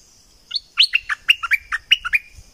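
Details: Bulbul from southern Thailand sings a quick, bubbly run of about a dozen bright, liquid whistled notes in two seconds, over a steady high insect-like hiss.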